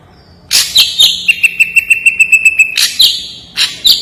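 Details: Ashy drongo singing sharp, clear, vigorous song: loud high buzzy chips, then a rapid even series of about fifteen bright pulsed notes on one pitch, closing with more harsh high chips.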